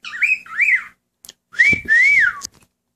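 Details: Pet cockatiel kept at home, singing along with its owner, who encourages it. Clear, wavering whistled phrases rise and fall in two pairs, the second pair longer, with a little background noise between.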